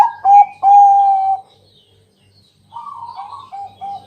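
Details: Bangkok-type zebra dove singing at night as a lure to draw other doves into song; a clear mellow coo, then a long level hum after a short silence, followed by a softer rising, rolling phrase.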